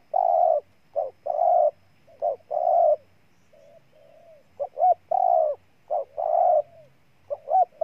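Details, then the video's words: Spotted dove from Ninh Thuận, Vietnam, cooing in repeated phrases: short soft notes followed by a longer hoarse coo, phrases about every second with a quiet gap midway; otherwise quiet background. "Cu Gáy Ninh Thuận"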